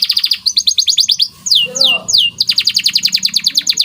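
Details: White canary delivering a lively training song of rapid repeated downslurred chirps, broken by a few long sweeping descending whistles, then resuming quick rhythmic trilled notes.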